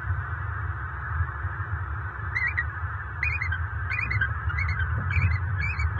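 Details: Wild bald eagle pair at their Fort Myers, Florida nest in late October 2022, after dark during mating: a run of short, high chittering notes repeated about every half second, over a constant low rumble.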